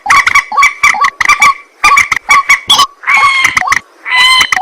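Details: At night, a white-breasted waterhen gives loud, nasal, honking croaks in quick bursts. Brighter, ringing double notes come toward the end, with brief gaps between the bursts.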